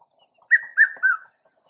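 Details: A Red-chested cuckoo (Piet-my-vrou) in Southern Africa, seen while calling, gives its three loud whistled notes, each slightly lower than the last, in under a second against a quiet background.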